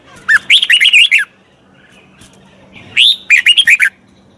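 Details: Red-whiskered bulbul singing as a voice model for a wild-caught bird in training: two lively phrases of fast, slurred whistles, each opening with a lower note and running into quick rising and falling syllables.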